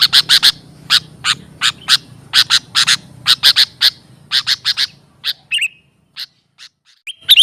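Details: Lure recording of sooty-headed bulbul used to attract and train birds: rapid runs of crisp chip notes that thin out, then brief rising whistles and a burst of chips at the end.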